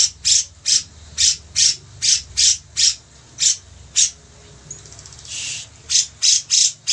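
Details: Bearded bulbul, a lively singer used as a model for training other birds: loud, harsh, buzzy high bursts repeated about every half second, with a brief noisy break midway and faint low hum beneath.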